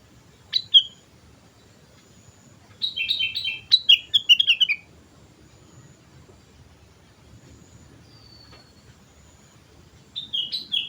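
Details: Sooty-headed bulbul singing as a lure: a brief opening note, then a longer burst of quick liquid chirps descending in pitch, and a final short phrase near the end, with faint thin whistles and low hum between.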